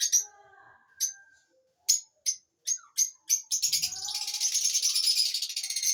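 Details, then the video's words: Lovebirds give sharp, shrill chirps at an uneven pace, then break into a rapid, continuous high chatter, with faint lower sounds underneath. "Love Birds Chirping Sound"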